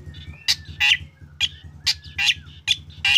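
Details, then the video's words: Black drongo singing to lure other drongos into song: harsh broadband rasps mixed with short whistled notes and a thin gliding whistle, over a steady low rhythmic hum. "SRIGUNTING HITAM GACOR SUARA UNIK BIKIN SRIGUNTING LAIN IKUTAN GACOR"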